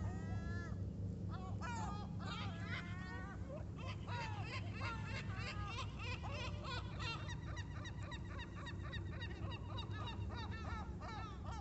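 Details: Several gulls in Sorrento call at once with harsh, wavering, nasal cries that overlap in a busy chorus, over a steady low rumble of background noise.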